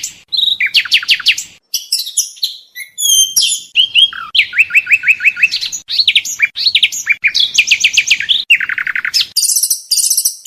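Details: Oriental magpie-robin (kacer) contest training song, rich varied phrases: rapid trills of steep descending sweeps, buzzy rattles, short whistled notes and high scratchy bursts near the end, changing pattern every second or so with brief pauses; no background noise.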